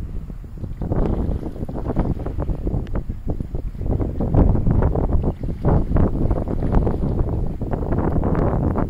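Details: Loud gusting wind buffets the microphone in uneven bursts, with no animal voices audible.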